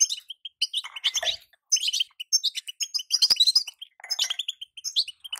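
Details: Calls of a female European goldfinch, meant to stir a moulting male into song: quick, high tinkling chirps in uneven bursts, broken by a short pause and a few sharp clicks or knocks.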